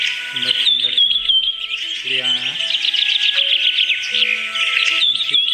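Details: Birds singing in a busy chorus of high twitters and whistled notes, with steady music underneath and brief lower harmonic sounds.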